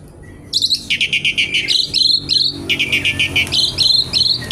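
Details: Javan pied starling singing a fast series of harsh, buzzy, slightly descending notes, about three a second, loud and clear over a quiet background.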